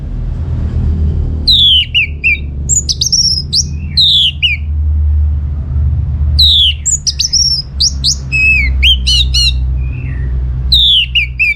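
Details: Orange-headed thrush in loud, sustained song, played to get other birds answering: rich, varied whistled phrases with slurred and stacked notes repeated in bursts, over a low steady hum.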